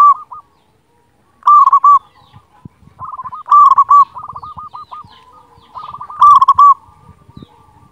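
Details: Zebra dove of local stock with a loud, strong voice, used as a tutor recording for reluctant singers: cooed bursts, each followed by a rapid rolling trill of short notes, three phrases in eight seconds, with faint low clicks behind.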